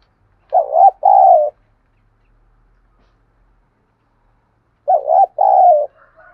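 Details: Spotted dove cooing, played to provoke fighting and stir wild and decoy doves to answer: two loud, hoarse coo phrases about four seconds apart, each a short note followed by a longer one, with a faint softer coo at the end.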